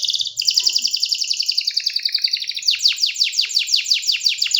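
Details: Canary singing: a rapid, high trill that steps down in pitch, runs into a long rolling trill, then switches to a string of sharp downswept notes repeated several times a second.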